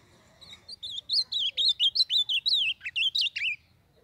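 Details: Blue-black grosbeak from northeastern Brazil, recorded for training and warming up other birds, singing a full three-second phrase of a dozen loud, slurred whistles that dip and climb, closing on lower swooping notes.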